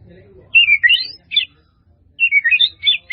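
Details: White-rumped shama in a full-fill training recording gives bright, melodious high whistled phrases and chattering notes, then a quiet gap of almost a second before another rapid run of high twittering whistles.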